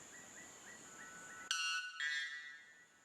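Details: White Bellbird, described as giving the world's loudest bird call, heard in playback: a sudden, very loud ringing blast with rich metallic overtones, two explosive bursts half a second apart, following a series of soft, short rising notes from another bird.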